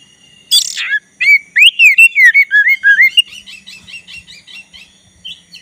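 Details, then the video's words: Black-breasted Oriental magpie-robin in full song, used as a lure to provoke a rival into singing: a sharp high burst, then a run of loud slurred whistles that rise and fall, fading into rapid quieter chips. "Kacer dada hitam gacor untuk pancingan agar kacer lawan ikutan bunyi"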